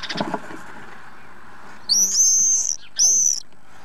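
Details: Common swifts divebombing a nest box under the eaves of a house in Van, Llanidloes, around 9am on Wednesday 6 June, recorded from inside the box: two shrill, high, slightly wavering screams, the first nearly a second long, the second shorter, after faint rustling.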